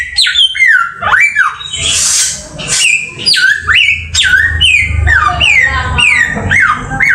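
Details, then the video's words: Samyong bird repeating bright descending whistles roughly every half second, broken by a hissing noise burst early on, with low rumble underneath. "Mastran burung samyong"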